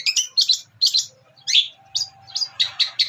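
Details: Young long-tailed shrike delivering a mimicry-rich song: harsh, high chattering notes in uneven bursts, roughly three or four per second, with a faint low background hum.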